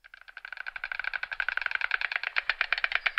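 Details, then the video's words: A family of wild white storks clatter their bills, a dry, wooden rattle of rapid clacks that speeds up and grows louder over three seconds; no other sounds stand out. "White Stork bird sound effect | Real White Storks Clicking/Clacking sounds"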